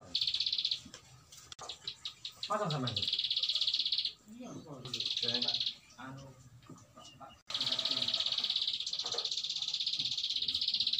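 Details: Bar-winged prinia giving repeated long 'ngebren' trills of fast, high, buzzy pulses in bursts of one to three seconds, broken by low sliding voice-like sounds and chatter between phrases.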